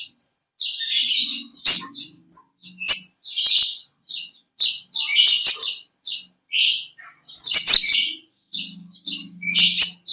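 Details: Olive-backed sunbird, or kolibri ninja, in a lively long ngekek song: rapid, high, scratchy chattering bursts repeated about every half second, a few clear whistled notes mixed in, plus faint low rustling.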